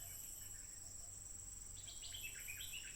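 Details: Wild stripe-throated bulbul, recorded by smartphone on 15 June 2021 while singing nonstop, gives a late burst of quick bubbly chirps and slurred notes. A steady high insect drone and a low hum run underneath.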